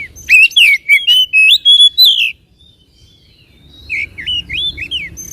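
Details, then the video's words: White-rumped shama song meant to provoke a caged bird into singing and spreading its tail: loud bursts of sweet whistled and slurred notes with sharp high chips, a pause, then softer looping whistles. "PANCINGAN SUARA KACER AGAR CEPAT EMOSI DAN BUKA EKOR"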